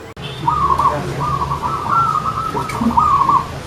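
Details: Zebra dove (perkutut) song played as a contest example, a single rolling, tremulous cooing phrase lasting about three seconds over low background hum.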